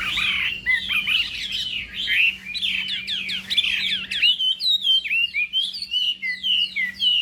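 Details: Morning contest song of a Chinese hwamei: dense rich warbling whistles at first, then a steady series of clear slurred whistled notes repeated about twice per second, over a soft low electrical hum.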